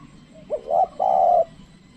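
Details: Lure calling of a spotted dove meant to attract wild birds: a single soft phrase of a brief lead note, a rising hooted note and a long, even, level coo, against a quiet background.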